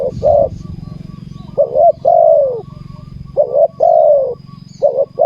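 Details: Spotted dove cooing while lured with a decoy on the ground, repeated phrases of a wavering short coo and a long falling coo, over a steady low engine-like hum.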